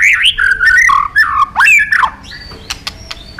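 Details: White-rumped shama singing as a tutor model for training competition birds: varied rich whistles swooping up and down, a quick rising-and-falling phrase, then scattered clicks and a thin high note, with faint low background hum.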